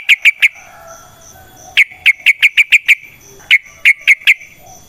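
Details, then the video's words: Yellow-vented bulbul in a natural setting, used as a lure to prompt other bulbuls to sing, with long rolling song: three quick sharp chirps, then bursts of six and four, separated by pauses over a faint high steady hiss. "Trucukan GACOR ngalas ROPEL PANJANG suara alam"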